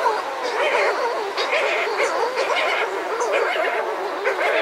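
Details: A pair of Buller's shearwaters calls at close range outside a burrow: continuous wavering, crooning wails rising and falling in overlapping phrases, with other birds calling and surf in the distance.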